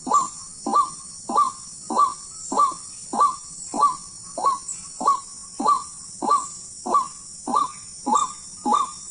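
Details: White-breasted waterhen in the wild, heard on a hunt: monotonous croaks in a metronomic series, roughly fourteen notes in nine seconds, each rising at its start, with a high electronic whine underneath.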